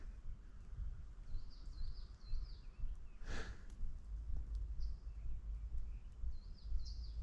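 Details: Distant Coal Tit singing in conifer forest on a mild, spring-like winter day, 15 February 2024, amid dawn-chorus-like activity. Thin, high, quick two-note phrases come in short repeated bursts over a steady low rumble, with one brief rustle midway.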